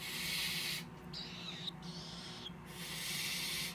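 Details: Young captive tropical screech owlets, hatched in early March 2014, make long airy hisses, with faint whistled tones mixed in between bursts and near-silent pauses.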